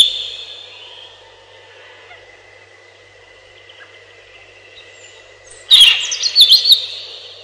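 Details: Robin song: a quiet, steady high whistled tone fades through most of the stretch, then a short, loud, high phrase of wavering, slurred notes bursts out near the end.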